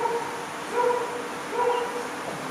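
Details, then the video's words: Visiting hornbill recorded on a Panasonic Lumix camera: three short, hollow, nasal hoots spaced under a second apart, each carrying a faint overtone, set against a constant low background hiss. "Hornbill visited us again"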